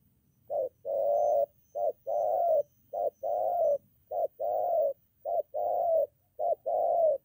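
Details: Spotted dove, a molting decoy being trained near a home in Gia Lai, Vietnam, facing a wild bird. It gives a steady series of paired coos: a short clipped note, then a longer throaty hum. The pair repeats about six times in quick succession.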